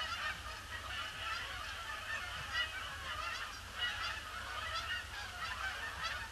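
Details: A big flock of Canada geese circles a pond before landing on a gloomy Boxing Day in December 2015; a steady, clamorous chorus of nasal honking with louder swells every second or so over a low rumble.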